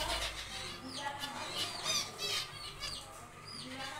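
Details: Several zebra finches in an aviary during nest building, day two: a dense, overlapping chorus of quick nasal chirps and buzzy notes, almost continuous.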